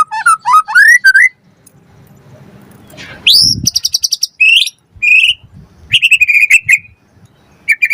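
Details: White-rumped shama singing to provoke other birds, for song training: rising slurred whistles, then a hurried series of high trilled notes, short twittering phrases and a drawn-out buzzy rattle.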